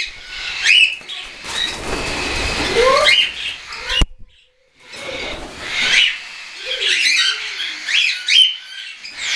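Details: Young hand-tame cockatiels, some already weaned and some still being hand-fed, flying about on 10 September 2012; rising chirps ring out between bursts of flapping wings, with a brief silent gap midway before more calls.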